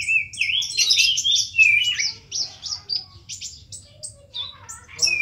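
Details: Ninja sunbird in full 'isian' song: an opening rising whistled slur, then a fast, dense stream of high twittering chirps and buzzy notes, easing into scattered sharp tweets and a final thin whistle.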